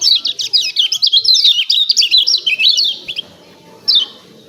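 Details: Lemon-bellied white-eye 'ciak ciak' calling, a recording used to stir other birds into song. It is a fast, continuous chain of high, zigzagging chirps for about three seconds, then a pause and one final sharp descending note.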